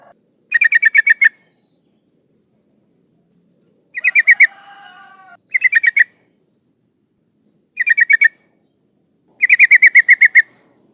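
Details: Female yellow-vented bulbul in breeding condition calling males, used to lure rivals: five bursts of rapid chattering notes spaced a few seconds apart, one followed by a brief rougher noise.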